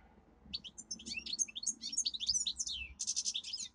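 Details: Domestic canary in song, a pet bird recorded for song training: a dense run of high chirps, swooping whistled slurs and quick rolling trills, ending in a buzzy burst.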